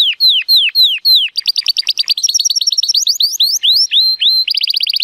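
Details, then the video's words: Timbrado Español canary, an 83-point male born 2018, in full song on a sunny day: a few loud falling whistles, then quick chattering rolls, rising slurred notes, and a closing fast even trill. "The most PLEASANT Canary training song"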